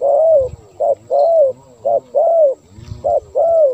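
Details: Spotted dove cooing, played to call wild doves: loud, hollow, low coos alternating short and drawn-out notes in a tight repeating pattern, with a low thud in the background.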